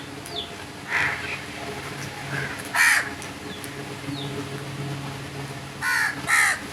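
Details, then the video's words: Rasping crow caws, single calls at first and then a closing pair in quick succession, with soft descending chirps of small birds faintly behind. "Crow birds crowing sounds and loud noise"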